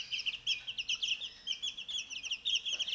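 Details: Chicks aged 14 days eating mealworms outside their brooder; rapid, regular high peeps, roughly four to five per second, bright and evenly spaced.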